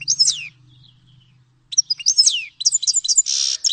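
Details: Grey-headed goldfinch (Carduelis caniceps) singing: bright twittering phrases of sweeping downslurred notes, a pause, then quick tinkling notes ending in a short buzzy rasp.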